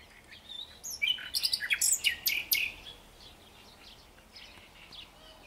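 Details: Common nightingale singing: a brief, loud burst of rapid, varied chirps and trills, high-pitched and clustered over about a second and a half, then quiet background with faint distant twittering.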